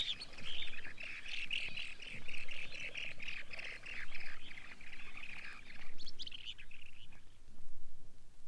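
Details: Long-billed Dowitcher voice from a Soviet wader sound guide: high, squeaky notes run together into chattering bursts that rise and fall in regular pulses roughly every one and a half seconds, with low background rumble.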